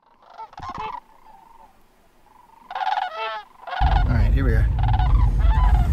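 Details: Flocks of greater sandhill cranes (Antigone canadensis tabida) fly in to roost near dusk at Crex Meadows, Wisconsin, on 14 October under overcast skies after rain. Their rolling, trumpeting, rattling calls overlap in loud bursts, with low wind rumble later.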